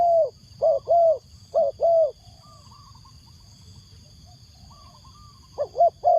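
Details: Spotted dove used as a decoy for wild doves: bursts of soft paired coos at the start and end, a faint higher piping call between, and a continuous thin electronic tone.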